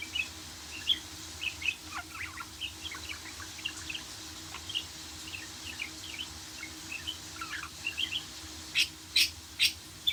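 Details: Warbling budgerigar: soft, rapid chirps and twitters, about two per second, ending in three louder, harsh, scratchy bursts, with a low hum beneath.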